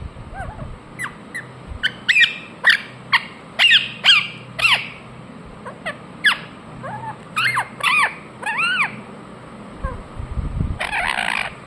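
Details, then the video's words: Indian ringneck parakeet chirping in a long, lively series of shrill notes, many swooping downward, some rising and falling, with a brief pause and a harsher buzzy burst near the end. "Parrot Chirping sounds Natural Sound | Ringneck parrot Naturals Sound"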